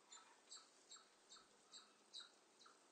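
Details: Marsh tit (Poecile palustris), call.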